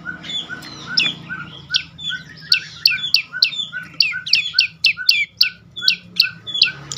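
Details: Prenjak lumut (prinia) song meant to provoke silent birds into calling: fast, insistent high chirps, each sliding downward, speeding up into a near-continuous regular series.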